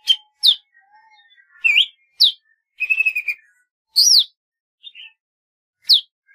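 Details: Golden-fronted leafbird song mixing loud piercing downslurred whistles with a rapid rattling trill and a few soft low notes, phrases coming roughly every half second to second.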